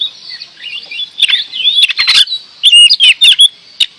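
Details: Kacer, the oriental magpie-robin, in full song: quick high warbles and slurred whistles give way to a run of loud, sharp, chopped notes in its second half.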